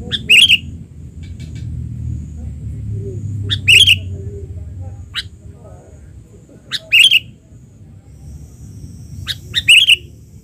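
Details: Albino sooty-headed bulbul, back in the wild, giving four short, sharp, bright chirps spaced about three seconds apart, each a quick burst with a high ringing peak, over a faint low rumble of background noise.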